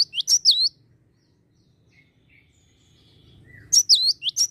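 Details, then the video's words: Java sparrow giving lure calls to get other birds singing: a short flurry of high, hooked chirps, about three seconds of near silence, then a second flurry. "Pancing bunyi gelatik bahan agar rajin bunyi"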